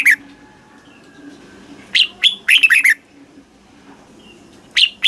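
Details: Caged-bird stimulation recording of a red-whiskered bulbul from Thailand in the southern master style: a brief note, then a fast tumbling phrase of several slurred whistles, and another short note near the end; soft hum underneath.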